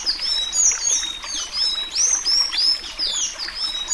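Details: A Sayaca Tanager sings the Alagoano "suí suí" song variety, a fast, squeaky run of high, thin, slurred notes rising and falling, about three a second, over faint background hiss.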